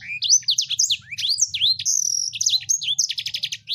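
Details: Continuous high-pitched song from a sanger bird: quick rising and falling whistled notes, a sustained thin tone, and a closing burst of rapid repeated chips, with faint low hum behind.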